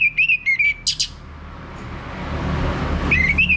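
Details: Whistled song of an orange-headed thrush, used to get a male singing loudly, Bali: a short series of fluty, wavering notes and a harsh burst, a quiet gap with rising background rumble, then the whistles resume.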